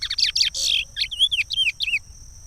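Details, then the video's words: Regional song of Pará from a chestnut-bellied seed finch, a song used for training young birds. It opens with harsh rasping notes, then gives a string of clear, looping whistles that fall in pitch, with a constant high tone behind. "Curió canto Regional, canto para encartar filhotes"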